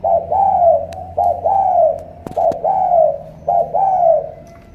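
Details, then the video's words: Spotted dove, Cà Mau, Vietnam, cooing in the thorny thổ cọp style: four paired phrases, each a quick low note and a longer swelling coo that sinks at the end, over a faint steady hum and a few clicks. "Thổ cọp âm khủng hình như bồ câu"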